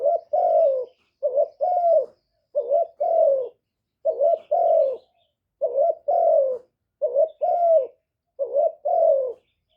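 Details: Spotted dove lure call used to attract and excite doves, cleanly recorded: seven evenly paced two-note coos, each a quick first note then a drawn-out, dropping second.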